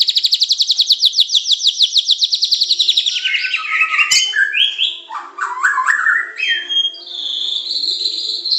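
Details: Master-training song of a Medan white-rumped shama in pancingan, macet, tembakan and isian styles: it opens with quickly repeated sharp high notes that slowly slide lower, then breaks into varied whistles and warbles.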